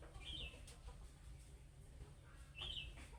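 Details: Young budgerigar calling in the summoning style that draws replies from other budgerigars: two separate bright, warbled chirps, one near the start and one near the end, with quiet hum in between.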